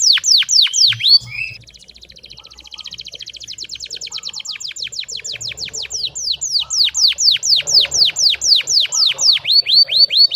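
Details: Canary singing loud, downward-swept notes, a brief buzzy phrase, then a long run of rapid, clipped high notes that gradually slow into strong descending sweeps, repeated about three per second.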